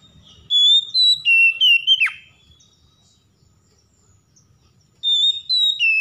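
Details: A stressed Oriental magpie-robin, provoked into singing vigorously, gives two loud whistled phrases separated by about three seconds of quiet. Each phrase has bright level notes stepping down, then a quick plunging slur.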